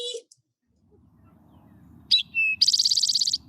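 Eastern Towhee sings 'drink your tea': two sharp introductory notes, then a fast buzzy trill, over a low murmur of voices.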